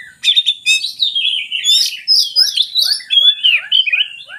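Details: Oriental magpie-robin in full song, played to stir reluctant singers: fast tumbling warbles and sweet slurred whistles, ending in rhythmic falling notes repeated several times per second beneath the melody.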